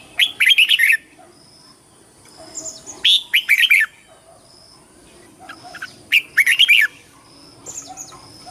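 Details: Red-whiskered bulbul in competition song, three loud bursts of quick, bright warbling notes spaced about three seconds apart, soft low calls in between.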